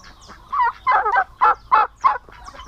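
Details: Aggressive male domestic turkeys housed together on a Paraná farm in Brazil give loud gobbles: five strong, throaty rattling bursts about every third of a second, each dense and warbling, with fainter squeaks between them.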